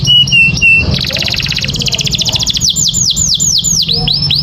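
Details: Canary song for training other birds: a few short level notes, a long buzzy trill, then a string of loud falling whistles, with a constant low hum.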